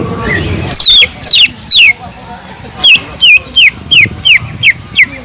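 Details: Greater green leafbird song with kingfisher-imitation notes: after a brief murmur, piercing whistles sweep steeply downward, repeated almost three times per second in an uneven series.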